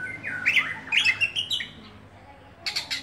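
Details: Oriental magpie-robin kept in a cage, singing a quick chain of bright whistles and scratchy, twisting notes, then a gap and a few harsh chips at the end.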